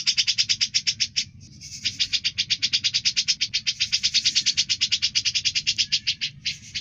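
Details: Grey-cheeked bulbul in full voice, kept as a tutor for other cucak birds: quick bursts of sharp, repeated high notes, halted twice by short pauses before the rattling series restarts.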